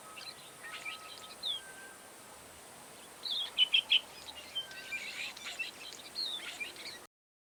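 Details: Cape sugarbird (Promerops cafer) in southern Africa giving a quick run of high, scratchy chirps, with scattered sharp notes before and after, over a steady background hiss.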